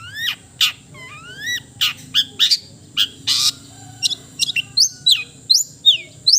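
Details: Long-tailed shrike (cendet) singing melodiously: sweeping rising whistles, then sharp high chips and downslurred notes in quick irregular bursts, with a faint steady low hum behind.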